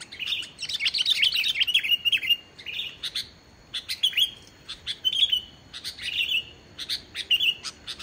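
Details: Sooty-headed bulbul in full song with no mimicked notes, used as a lure for quiet bulbuls, giving short, bubbly, liquid phrases about once a second in lively bursts, with no other sounds.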